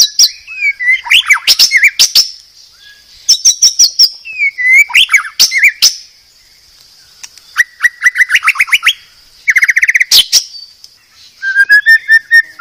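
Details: White-rumped shama of the Medan type, recorded as a master for teaching caged birds: varied song of quick trills, sharp clicks and whistled slurs in several separated phrases, ending with a steady whistled trill.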